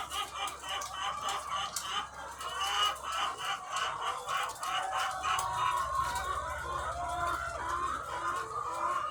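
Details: Thousands of egg-laying hens on a farm cluck and cackle in a continuous crowded chorus, with rapid rhythmic clicking sounds and a low hum of machinery throughout.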